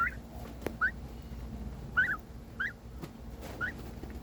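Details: A pet domestic turkey gives new-sounding short, clucking chirps that rise and fall, about five notes roughly a second apart, seemingly seeking attention while a sibling turkey got more, over a low indoor hum.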